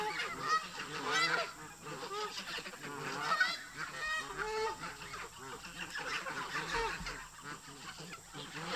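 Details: Geese in a park honking loudly and harshly, local birds showing flock tension and fighting with migrating visitors; overlapping nasal honks from many birds, with a loud burst near the start and another midway.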